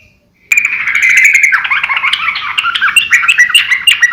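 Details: After a short silence, a sooty-headed bulbul breaks into a continuous bubbly chatter of quick, pitch-jumping notes, recorded to train and lure other birds.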